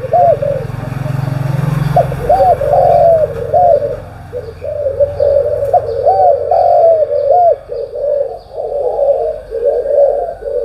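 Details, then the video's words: Spotted dove cooing in the morning, a continuous string of soft low arched coos, with a low rumbling hum underneath at the start. "cu gáy sáng"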